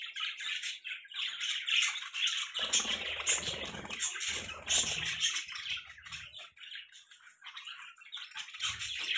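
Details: Several budgerigars chirp continuously as pets, a busy, scratchy twittering stream of short notes with bursts of fluttering or rustling noise in the middle.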